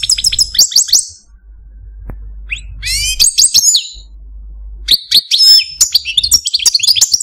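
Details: Algerian Parva goldfinch, a caged pet male, sings bursts of rapid twittering notes, pauses briefly, adds a buzzy rising phrase, then resumes energetic high tinkling chirps over a soft low hum.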